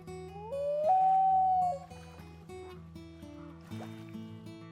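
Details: Common Loon in Yellowstone's back country calling across the water: one long, mournful, haunting note that rises, then holds steady for about a second before fading, over soft background music.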